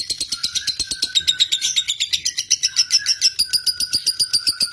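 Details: Lovebird of fighter type, used as a lure to get lovebirds singing a long ngekek: a fast, high-pitched chattering trill of sharp repeated notes, about four per second, running steadily throughout in an indoor setting.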